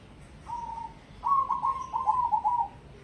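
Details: Cemani zebra dove (perkutut) of competition grade singing: a single level coo, then a rolling run of about six quick, slightly falling mellow notes merging into a purring trill.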